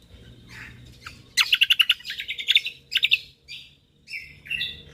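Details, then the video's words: Lombok white-eye delivering a quick volley of loud pulsed notes, then choppy twitters, a brief lull, and soft high slurred whistles at the close. "Cucak Kombok Juara / Kecial Kombok Gacor Full Tembakan rapat Bikin Burung Anda Emosi Langsung Bunyi"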